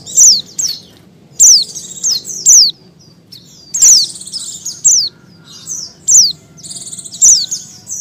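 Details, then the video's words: A female Oriental white-eye in breeding condition calls to draw males: thin, very high chirps with quick downward slurs, about nine short bursts in eight seconds at an uneven pace, over a faint low hum. "pleci betina birahi memanggil jantan"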